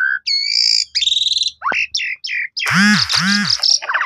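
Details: Asian pied starling singing as a lure to make other pied starlings sing and show off their repertoire. Clear two-tone whistles, quick trills and chirps, then loud harsh buzzy arching notes with a deep underlying tone.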